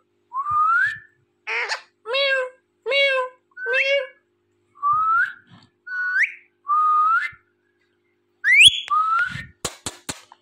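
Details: Talking, dancing pet Indian ringneck parakeet alternating rising whistles with four wavering speech-like syllables, about nine notes in all, ending with clicks.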